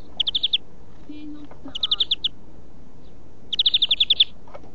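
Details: European greenfinch singing for song training: three fast rolling trills of clear, evenly repeated notes, the last one longest at about eight notes, with brief pauses between them and faint low background noise.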